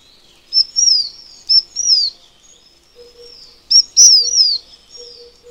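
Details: ["Taiwan fulvetta from Taiwan's high-altitude mountains, giving several quick high phrases of clipped notes and down-slurred whistles, with a faint low hum in the background."]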